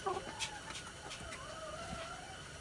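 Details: Red junglefowl, six months old, recorded 13 March 2019: a few short clucking notes, then a drawn-out, wavering crow held for about a second, slightly falling at its end, over steady background noise.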